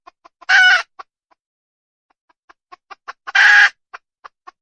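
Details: Female red junglefowl: a rough squawk among scattered clucks, a pause, then a run of quickening clucks into a second squawk, with clucking continuing after it.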